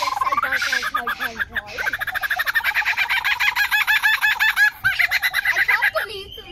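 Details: A Superb Lyrebird in Australia, recorded in 2019, sings a rich medley from its repertoire: swooping whistles and chattering notes give way to a fast, rattling run of repeated loud phrases, several per second.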